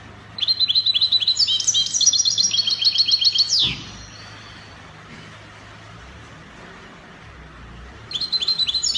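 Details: Goldfinch copia song, Spanish style, recorded in Morocco: a sustained three-second run of rapid stacked high trilled notes ending in a sharp descending sweep, then a pause before another trill starts, with a low background hum.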